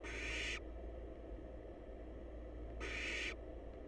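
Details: Wild barn owl chicks huddled together in a monitored nest box, waiting for their next meal: two harsh, broadband rasping hisses, each about half a second long and roughly two and a half seconds apart, over a steady low hum.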